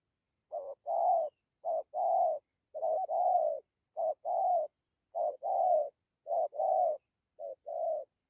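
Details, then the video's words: Spotted dove cooing in the 'dặm kèm gù' style: low, soft paired notes, a short clipped coo followed at once by a longer, fuller one, repeated roughly once a second for about seven pairs. No other sounds. "Thổ tốt tiếng gù tốt dặm kèm gù"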